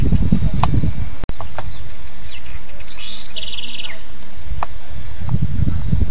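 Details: House wren, known locally as cambaxirra or coreca, singing: a few scattered sharp high chirps, then a short, rapid buzzy trill, all over strong low rumbling noise that briefly cuts out once.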